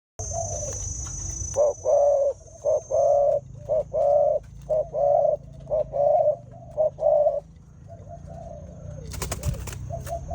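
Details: Spotted dove during mating: a series of about ten soft, low, hollow coos, some single and some doubled, paced about once a second, with a faint high whine and a brief rustle at the end.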